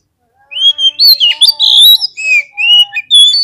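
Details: Oriental magpie-robin singing a lure song meant to provoke fighting birds: a dense run of loud, clear whistles sliding up and down, mixed with harsher chattering notes and brief high trills.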